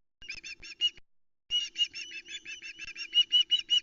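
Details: Juvenile osprey screaming for fish on the Loch Arkaig nest, 17 August 2020, captured by nest cam; rapid runs of shrill, piercing pulsed notes repeated several times a second, broken by a short pause.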